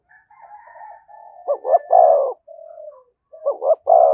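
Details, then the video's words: Spotted dove giving 'thúc gù' coos near a decoy bird. Soft, wavering low murmurs open the clip. Then come two phrases of a short paired stutter followed by a drawn-out throaty coo. "Tiếng chim cu gáy THÚC GÙ giọng hay với sát bổi"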